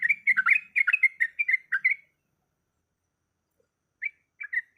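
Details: A female yellow-vented bulbul in breeding condition gives a two-second string of bubbly, chattering notes to call a male, then falls silent before a few short notes resume.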